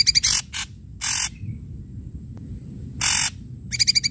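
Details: Ashy drongo singing loudly as a lure for quiet drongos: a quick pulsed buzzy trill, harsh rasping bursts separated by pauses, and another rapid pulsed trill at the end.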